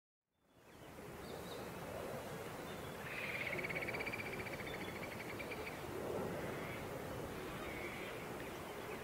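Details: At a pied oystercatcher nest with a chick at Port Hacking, NSW, on day 5, a pied oystercatcher gives a rapid, high piping trill lasting a couple of seconds, then shorter bursts, over a steady roar of surf and wind.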